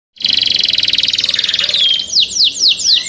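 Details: Young kept canaries singing: a fast, even trill of buzzy high pulses for nearly two seconds, then a run of repeated downward-sweeping whistled notes about five per second.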